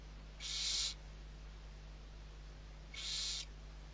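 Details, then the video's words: Two harsh, breathy hissing screeches about two and a half seconds apart from barn owl owlets during feeding at a Spanish reserve in the Ebro Delta, November 2023, with a steady low hum behind. "ГОДУЄМО ШІСТЬ СОВЕНЯТ. СИПУХА."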